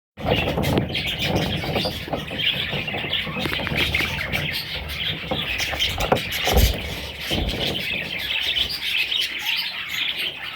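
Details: Baby parrots calling together in a steady chorus of high, scratchy chirps that run without pause, with low thumps and rustling underneath.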